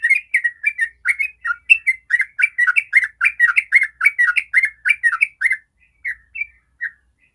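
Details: Yellow-vented bulbul giving a rapid 'ropel' song as a lure to set other bulbuls singing: lively, gurgling warbled notes in a steady stream, ending in three spaced single phrases.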